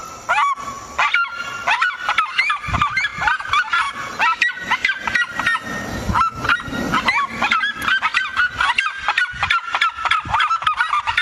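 Seriema giving a loud, unbroken run of shrill, yelping notes, several each second, with a barking, almost dog-like quality that carries through the whole passage.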